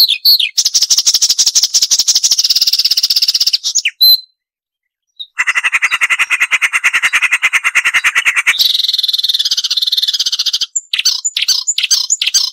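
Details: Marsh warbler training recording with sharp, rapid chattering: long, fast, grating trills run for several seconds, lower after a brief pause, then shift into higher buzzy chatter and scattered sharp notes.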